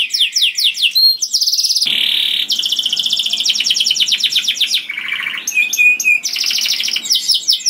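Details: Loud melodious canary song for luring other canaries: rapid swooping notes, then sustained buzzy trills at several pitches, a low rolling rattle, and bright sharp whistles near the end.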